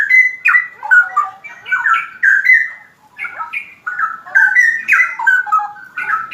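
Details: Straw-headed bulbul singing in the rapid 'ropel' style, with loud, bubbling, liquid whistled phrases that tumble up and down in short rich bursts and pause briefly between runs.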